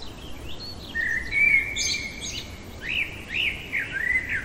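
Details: Common blackbird singing at night: a sustained fluty whistle leads into a burst of sharp high twitters, followed by several short, looping mellow notes.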